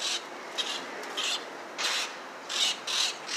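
Young grackles beg with harsh, raspy hisses in irregular bursts, a little more than one a second, each a short scratchy rush of high noise.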